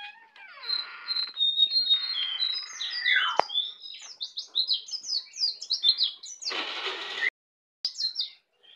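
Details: Native Bali white-eye, a young bird just learning to sing in the ngeplong style: a long, busy stream of high, sharp chirps and short buzzy notes with a falling slurred whistle midway and a harsh rasping burst near the end.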